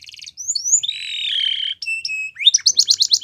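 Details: Male canary singing a brief sequence: a fast trill, rising whistles, a long buzzy held note, then clear paired tones and a quick rising trill.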